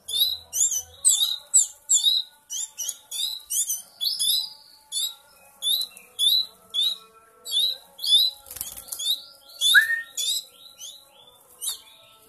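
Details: Hand-fed canary nestlings, three weeks old, begging insistently with quick, piercing chirps in steady pulses about every half second, one brief lower whistled note near the end, otherwise quiet surroundings.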